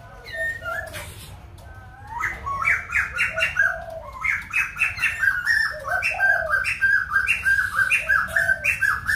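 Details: Loud song of a white-crested laughingthrush from Kbang: a few opening whistles, then a fast run of bright, cackling phrases repeated several times a second, over low background rumble.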